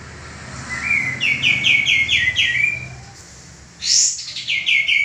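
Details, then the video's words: Singing male common iora used as a tutor for cage birds: a rising glide into five or six clipped, falling chirps, a short lull, then a shrill high burst followed by another quick chirp run. "suara burung kapas tembak jantan gacor"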